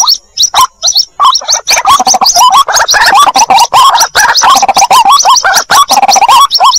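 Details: Lure recording of White-breasted waterhen chicks calling for the mother: a few scattered notes, then a continuous, crowded chorus of hoarse, twisting squeaks and rattles.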